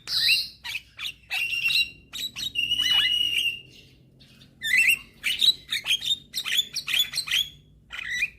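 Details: Young Javan myna singing steadily while nodding, used as a lure to prompt lazy mynas to sing: harsh squawks and buzzy whistled notes, a long wavering whistle in the middle, then a quick run of short rising chirps, quiet background.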